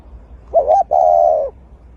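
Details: Eurasian collared dove (Streptopelia decaocto), coo.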